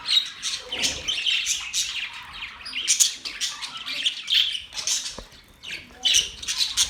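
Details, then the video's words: Budgies on October 11, 2023, twitter and squawk in uneven bursts, with short bright whistled notes among the busy high chatter and brief quieter gaps. "Budgies chirping sounds"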